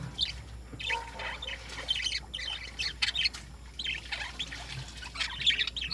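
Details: Morning chorus of lovebirds: continuous high, scratchy squawks and twittering notes from several birds tumbling over one another, with a faint low background hum throughout.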